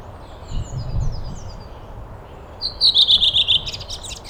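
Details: Waxwing giving a high, sibilant, pulsing trill in the second half, preceded by faint thin whistles and a low outdoor rumble.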